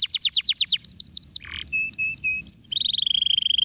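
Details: Canary in ngeriwik song: fast descending chip series, a brief rough burst, flat whistled notes at two pitches, then a long rapid buzzy trill on one high tone, low background rumble.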